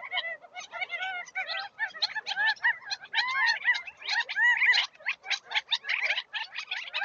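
Gambel's quail squabble in a dense, overlapping chatter of nasal, clucking and whining calls, roughly one burst a second, with several birds calling at once.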